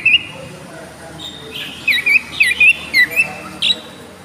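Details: A colony of cockatiels trade short, bright whistled chirps, some rising and some falling, in quick irregular bursts over a faint background hum.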